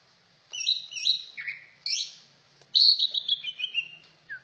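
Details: Cucak ijo singing a varied run of clear whistled phrases, some rising and some falling, broken by short pauses and ending with a brief low note.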